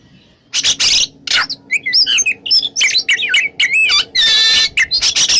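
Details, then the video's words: Morning ngeplong song of an oriental magpie-robin: quick runs of looping, rising and falling whistles mixed with harsh, buzzy bursts, nearly continuous after a quiet start. "SUARA KACER NGEPLONG DI PAGI HARI"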